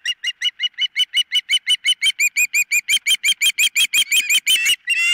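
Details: Osprey at the nest, nest camera, 4 September 2023, mid-morning: loud, rapid run of sharp whistled 'chip' notes, about three per second, evenly spaced, closing with a longer slurred squeal.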